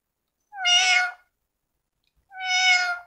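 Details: Two matched, strong, buzzy harmonic calls from a talking female parrot, each under a second and spaced nearly two seconds apart, with silence between.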